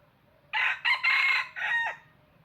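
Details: Crowing decoy red junglefowl for trapping: a single rapid four-syllable crow with a loud start, a brief break, a sustained raspy central note and a shorter falling tail.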